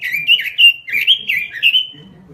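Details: Short burst of nonstop robin lure song: quick, sweet, slurred notes run together and close with a lingering whistle.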